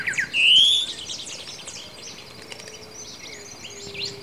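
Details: Greyish saltator from Esperanza, Santa Fe, Argentina, 2023: one loud, clear rising whistle opens the phrase, followed by faint high chirps and a low steady background hum.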